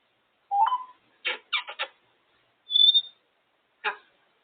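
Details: African grey parrot enjoying time out of the cage and talking: choppy speech-like syllables in short bursts, a clear pure whistled note in the middle, then one more clipped syllable.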